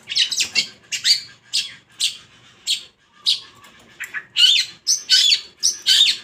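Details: Long-tailed shrike singing loudly, a caged songbird: harsh scratchy squawking notes given in uneven bursts roughly every half second, with some sharper squeaky whistles near the end.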